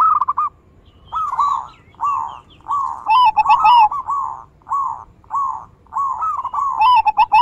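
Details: Zebra dove (perkutut) song used as a lure to stimulate other doves to sing, with big-voice, bekur and crystal variations: repeated rolling coo phrases of quick trilled notes, about one second apart, with faint high chirps from another bird.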